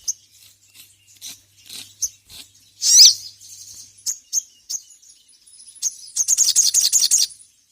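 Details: Ruby-cheeked sunbird in lively form, used as a master recording to train other birds, calling out a rival: scattered high thin chirps, a sharp loud note near three seconds, then a fast buzzy twittering burst at the end.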